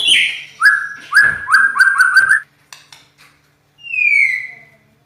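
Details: Loud, rough-voiced champion white-rumped shama (murai batu) sings a rapid series of sharp, upslurred whistles, falls briefly quiet, then closes with one long descending whistle.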